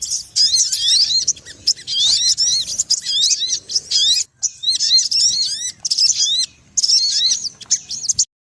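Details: Sogon ontong trapping lure call from Indonesia, noisy and insistent: busy high chatter mixed with repeated hooked whistles that rise then drop, delivered in phrases of one to two seconds separated by short gaps.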